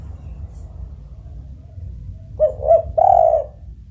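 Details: Spotted dove (tekukur) calling after a quiet stretch: two short coos, then a prolonged mellow coo, set against a low rumbling background.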